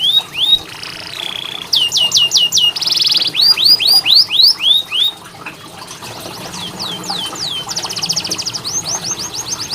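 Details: Canary song played to coax quiet canaries into singing: whistles, quick descending notes, a harsh buzzy roll, then series of rising slurs fading into a softer rattled trill.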